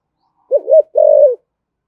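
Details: Single clean phrase from a spotted dove cooing 'thổ thúc gù' style to provoke wild doves: a low wavering double note, brief pause, then a sustained gently falling coo.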